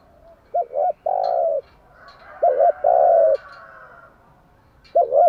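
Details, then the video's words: Morning spotted dove song used to lure and train doves: a double-pulsed note then a long mellow coo, given twice, with a third phrase starting at the end. "Tiếng chim gáy bài bản gáy buổi sáng"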